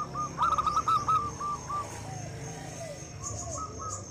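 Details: Local zebra dove singing vigorously, used as a lure to prompt mute or reluctant doves to sing: one loud, rolling, trilled coo phrase with stuttering notes, then fainter cooing notes, over a steady high whine.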